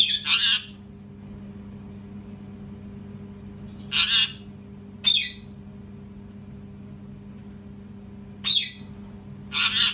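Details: Parrot screaming loudly: harsh, raspy, high screeches about half a second long, given singly or in pairs every few seconds over a steady low electrical hum.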